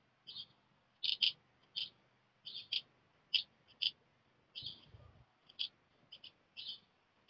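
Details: Young black redstarts leave the nest in quick succession while one chick stays behind. Single high, clipped calls are spaced irregularly, sometimes in quick pairs, with a low brief rumble partway through.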